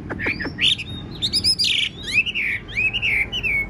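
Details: Large, blue-eyed Chinese hwamei kept as a tame cage bird. It mixes a few sharp downward flicks, a harsh burst and varied whistles into a wavering, warbled phrase.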